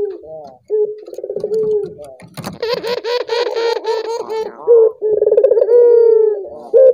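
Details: Collared dove calling to set other doves singing: low rolling coos broken midway by a louder, rougher broadband burst, then a long smooth cooing phrase resumes.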